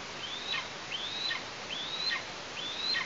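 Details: Four clear whistled calls from an Eastern imperial eagle chick in its Tatarstan nest, August 2023, each rising steeply then dropping away, roughly every 0.8 seconds, hiss behind.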